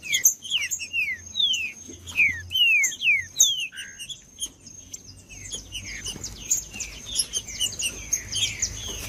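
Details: Song of a green-winged saltator, meant to get other saltators singing: sharp downward whistled strokes repeated quickly, then a softer jumble of thin chirps, with a constant high-pitched hum throughout.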